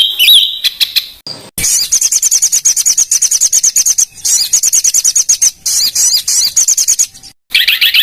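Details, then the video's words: Songbird on a master track for training contest birds: abruptly spliced segments of fast high chattering trills and sharp notes, with brief whistled phrases at the start and end. "BURUNG MASTERAN FULL ISIAN UNTUK BURUNG LOMBA"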